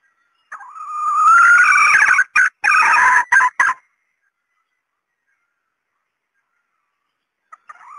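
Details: Female red junglefowl voice used to lure males: a drawn-out rising cry growing louder, broken into several choppy bursts, followed by long silence and a faint short note at the end.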